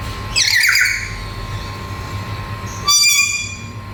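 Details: Black-capped lory, a talking parrot with beautiful colours, giving a loud, grating squawk early on, then a sharp, ringing, tonal screech near the end over a constant background hum.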